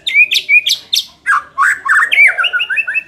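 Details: White-rumped shama song meant to make a less aggressive bird more competitive: clear whistled notes with sharp upward flicks, then falling slurs and quick rolling phrases.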